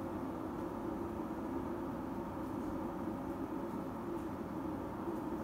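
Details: A steady broadband mechanical hum and hiss runs throughout without any animal sound.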